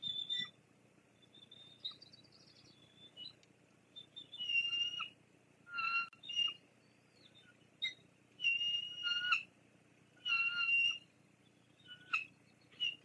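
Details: Bald eagle pair at their Fraser Point nest, 9 May 2022, with chicks present; the female chases the male away after a fish drop-off. Series of short, high, thin piping notes in bursts, repeated every second or two, with quiet gaps.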